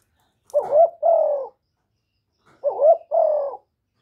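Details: Spotted dove, a decoy bird giving calling, urging and cooing crows to stimulate other doves. Two paired coo phrases, each a short wavering note then a longer falling hoot, separated by about a second of silence, with no background noise.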